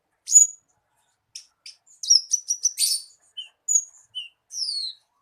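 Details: Javan bushlark, a lure for getting a caged bird to sing: scattered high thin notes, then a burst of fast ticking chirps and a few drawn-out descending whistles.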